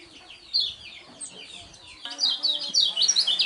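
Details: Lemon-bellied white-eye, a champion contest bird with a unique voice, sings; faint high twitters give way after two seconds to a loud, rapid run of sharp, descending chirps.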